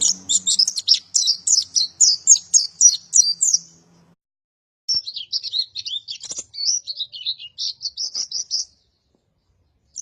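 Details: Oriental white-eye song used to tutor caged birds: a fast run of high chirping notes, a silent pause, then a second thinner, more scratchy twittering sequence, ending in quiet with a faint low hum early on.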